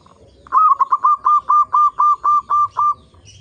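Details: Zebra dove of a local strain sings as a lure for other zebra doves: one rapid burst of about ten clear, even cooing notes over two and a half seconds, fairly quiet background.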